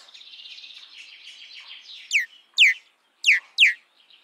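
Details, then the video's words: Common myna, or Indian myna: a soft, rambling chatter of gurgles and whistles, then four loud, harsh notes that sweep sharply downward, spaced irregularly over two seconds. "Common Myna Sound ! Common Myna Song ! Common Myna Call ! Common Myna Vocal ! Common Myna Voice"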